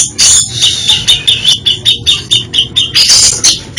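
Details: Grey-cheeked bulbul singing varied isian song: loud harsh scratchy bursts mixed with rapid sharp chips at about three per second, growing louder and richer toward the end.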